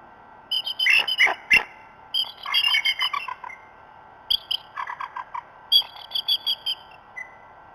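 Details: At the Decorah North nest before dawn, 27 March 2016, bald eagles give repeated bouts of high, squealing, chattering notes in uneven runs with short pauses between groups, over a quiet, hissy background.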